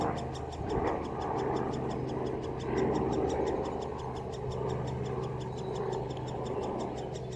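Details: At Solleveld, 26 May 2018, great spotted woodpecker young call from their nest as the parents come to feed. A rapid, high ticking chatter persists beneath steady mid-pitched rumbling noise.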